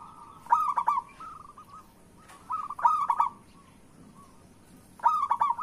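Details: Zebra dove (perkutut lokal) in lure song for prompting other doves to sing. Loud bursts of fast pulsed cooing notes, each trailing into a soft rolling coo, recur roughly every two to three seconds.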